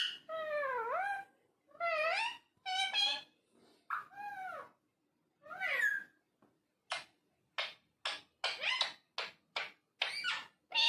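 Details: A talking parrot indoors utters drawn-out, bending, voice-like phrases, then a rapid series of short clicks and chirps in the second half.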